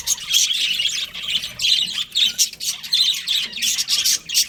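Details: Budgerigars chirping: dense, buzzy high chatter in overlapping bursts about every half second, several birds calling together with no other clear sounds.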